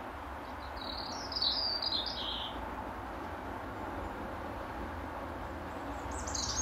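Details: In the final daylight hour, a territorial European robin sings from its favourite apple tree branch: one fluid, high warbled phrase with falling notes near the middle, a faint new phrase beginning at the end, and continuous rumbling noise.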